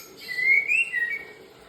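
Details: White-rumped shama singing in the morning: a single clear whistled note that rises, wavers and slowly falls, lasting about a second, over a faint steady background hum.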